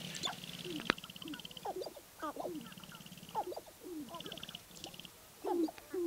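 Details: Sharp-tailed grouse near Baudette, Minnesota give wavering, clucking and whining calls over steady dry rattling pulse trains, with several birds overlapping.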